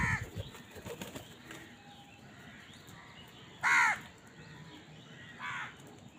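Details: Crow at a feeding scene: after quiet rustling and faint flapping, one sharp, hoarse caw rings out, followed a second and a half later by a softer, more distant caw.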